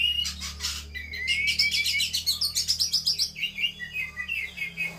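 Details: Female Javan pied starling (kacer) in fighting mood, pouring out a fast run of chattering, rising notes repeated several times a second, over a constant low background hum.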